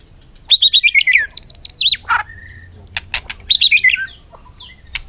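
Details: White-rumped shama singing in a contest on a late sunny afternoon: rapid descending whistled trills and swooping sweet phrases, repeated in bursts, with sharp clicks and snaps between phrases.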